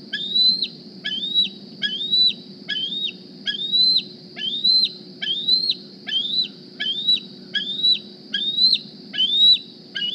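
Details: On a morning visit to the Decorah nest, juvenile bald eagle D36 squees for food, a long run of high, thin whistles rising then dropping sharply, about one per second, over steady low rumble.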